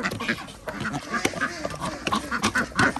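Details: Ducks at feeding time on an organic village farm in Andhra Pradesh, giving short nasal quacks in quick, uneven succession, with a few brighter calls standing above the crowd.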